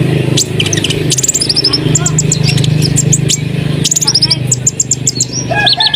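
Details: Asian pied starling in energetic song, meant to stimulate other birds to join in: jumbled high chirps, clicks and short whistles in dense bursts, with a steady low hum throughout.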